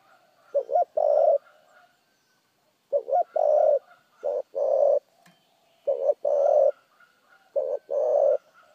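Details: Spotted dove's rapid, clean cooing: four mellow phrases, each a short trembling note leading into a longer steady coo, repeated about every 1.7 seconds. Faint high chirps of other birds are heard.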